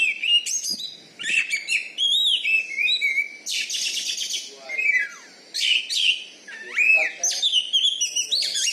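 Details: Champion kacer, an Oriental magpie-robin kept in Bengkulu, Indonesia, with a loud voice meant to make rival birds back down; energetic string of varied whistles, rasping bursts and upslurred notes with brief gaps.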